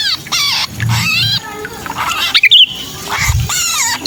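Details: Trapped-bird 'kejepit' cry of a sooty-headed bulbul, played as a lure for bulbuls that are hard to bring down: grating, rasping squawks in separate bursts, one sharp whistled note midway, low rumbling background.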